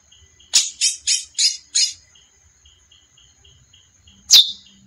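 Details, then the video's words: Five scratchy, buzzy notes in quick succession from a female chestnut-bellied seed finch, then silence and a single bright, falling chip, with a faint regular pulsing buzz behind. "Canto Curió fêmea"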